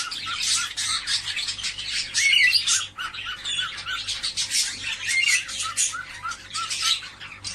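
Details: Cockatiels calling together, played to encourage them to mate: a dense, continuous chorus of harsh squawks and chirps, with brief rising whistled notes breaking through the chatter.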